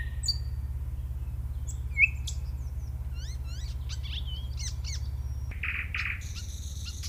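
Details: A singing nightingale delivers a varied run of phrases: thin whistles, a series of quick down-slurred notes, fast trills and buzzy bursts. A constant low hum lies underneath, and the sound shifts abruptly near the end.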